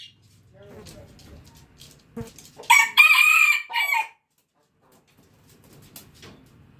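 A red junglefowl rooster gives one loud crow of about a second and a half, harsh and strained with a clipped ending, after some faint low clucking.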